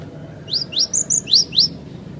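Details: Cinereous tit singing clearly, kept as a master recording for teaching other birds: a rapid string of six high, thin, steeply rising-and-falling whistled notes delivered at an even pace over about one second, against a quiet background.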